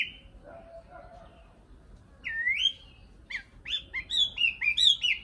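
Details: Singing nightingale: soft low notes at first, then a loud rising sweep followed by a rapid, accelerating sequence of bright, bouncing whistled notes.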